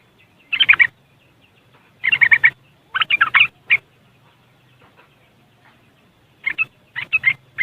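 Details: Yellow-vented bulbul (trucuk) in West Java, Indonesia, recorded on an Android phone, giving its riwikan chatter used as a lure: three clusters of quick, harsh, scratchy notes, with a low steady hum beneath.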